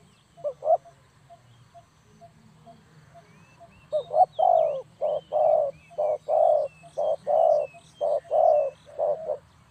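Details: Spotted dove calling as a trapping lure. A few soft introductory notes, then a steady run of about ten hollow low coos roughly every half second, with faint high twittering from other birds.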